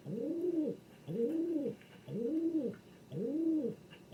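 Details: Four full, throaty coos from a king pigeon, each about three quarters of a second long, arching up and down, delivered at roughly one per second.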